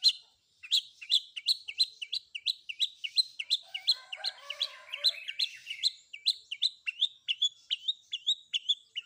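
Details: Long-tailed shrike combination song used to provoke other shrikes to reply: a long, fast series of sharp, downslurred high chips repeated about three per second, with a soft warbled phrase underneath midway.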